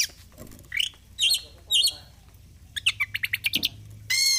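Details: Kacer, the oriental magpie-robin, a caged fighter bird, gives harsh squawky notes, short whistles and a fast series of repeated chips ending in a rough buzzy burst, over noticeable background rumble.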